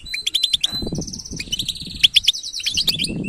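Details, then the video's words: European goldfinch song of the batbata style: rapid sharp chirps quickly followed by rolling buzzy trills and liquid twitters, delivered densely without pause, with some low rumbling background noise. "أسمع المقنين هذه البتبته وشاهد قوة عصفورك الحقيقيه jilguero singing"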